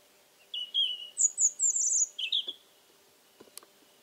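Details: Singing European Robin in Alentejo, Portugal, on a humid October 2014 evening: a two-second phrase of liquid whistles, rising to a very high, shimmering strand and dropping to a lower trill, followed by faint clicks.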